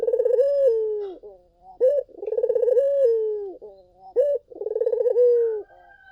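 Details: Collared dove in strong song, used as a lure to make other doves respond: three phrases, each a quick coo, a vibrating rolled coo, then a long falling note, with short soft notes between.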